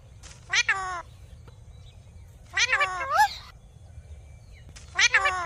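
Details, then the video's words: A talking parrot gives natural calls: three drawn-out, nasal, wavering cries spaced about two seconds apart, each rich in overtones, with quiet background hum between them. "Talking Parrot Making Natural Sounds"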